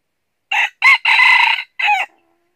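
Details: A decoy red junglefowl in northern Vietnam gives a truncated crow to attract wild birds into a trap. There are four hoarse syllables: a short opener, a sharp second, a sustained rasping third and a descending close.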